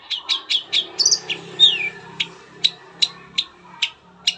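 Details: Long-tailed shrike giving a lure song to make other shrikes sing: quick harsh notes, a descending whistle, then single sharp chips spaced about every half second, over a faint low hum.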